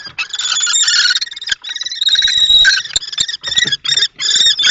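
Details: Common kestrel males fighting over a nest box at Théding, France, 20 March 2024, one young and one adult. Near-continuous, harsh, whining chatter is broken by short pauses and scraping taps.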